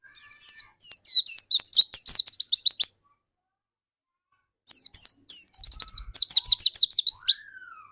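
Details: Dakun white-eye singing energetically, used as a lure to get other white-eyes singing quickly: two bursts of rapid, high, sharply falling twittered notes, about three seconds each, separated by a pause, ending with a soft rising whistle.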